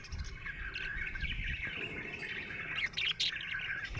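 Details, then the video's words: Budgerigar, described as happy, chirping in a continuous, busy warble of rapid twittering notes, with a few brighter, sharper chirps standing out toward the end. "Happy budgie chirping sound"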